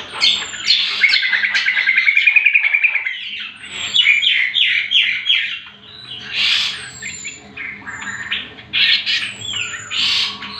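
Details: Greater green leafbird (cucak kombo) lure and master song for training other birds: a rapid, varied chatter of buzzy and whistled notes, with a fast trilled run around two seconds and thin high slurred whistles above. The song runs continuously.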